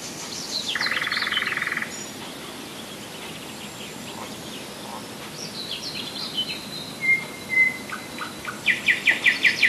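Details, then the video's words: Near Moscow in July 2011, a common nightingale opens with a loud dry buzzing rattle, then pauses for thin high chirps and a sharp whistle before ending on a fast series of strong repeated notes. Recorded at Rassudovo, some forty kilometres from the city. "Соловьиная песня / Nightingale song"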